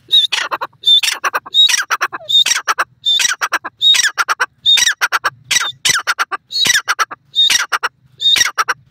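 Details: Grey francolin, called silver dakhni bird, giving loud harsh repeated phrases: each opens with a short high whistled note, then a burst of rasping strokes, about 80 phrases a minute and no other sounds.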